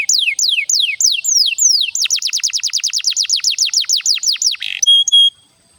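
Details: Canary lure song to stimulate other canaries: slow downward-slurred whistles, then a quicker steady series of sweeping notes about four per second, ending in a brief buzz and a clear whistle.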